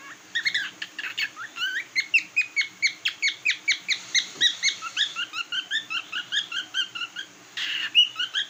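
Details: A cockatiel singing while dancing gives a fast run of bright, chirpy whistles, repeated about three times a second.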